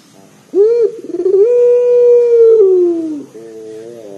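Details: Local turtle dove with a loud, bassy voice, used to prompt other doves to sing: a short rising note, a rapid rolling burst, then one long steady low coo that slides down at the end, with a faint hum behind.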